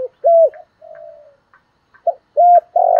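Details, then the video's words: Spotted dove giving soft, low, hollow coos: short drawn-out notes in an uneven run, with a longer muffled coo between them. It is a calling, urging and cooing song meant to stimulate other doves. "Tiếng Cu Gáy Giọng Hạp BổI [ GÁY GỌI,THÚC,GÙ ]"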